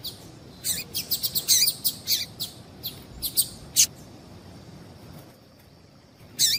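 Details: Calls of a female double-collared seedeater, used to prompt males to sing: rapid bursts of sharp, high chipping notes in an irregular run, a pause, then one more burst at the end.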